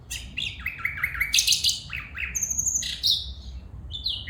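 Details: A female bulbul calls in a lively run of varied, high chirps and short downward-sliding notes, some paired and some rising, with thin, piercing whistles scattered between them.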